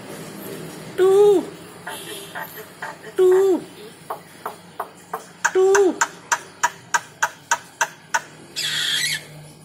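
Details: Starling that likes to nod its head: three loud, low, hollow whistles, each sliding down at the end, separated by sharp dry clicks that speed into a ticking series, with a hissy rasp at the close.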